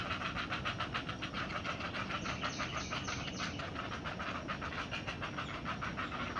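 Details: Not-so-small great blue heron chicks in the nest, standing erect and crouching as they anticipate their mother's arrival with food: a rapid series of dry clacking pulses, about three per second, over a steady broad hiss.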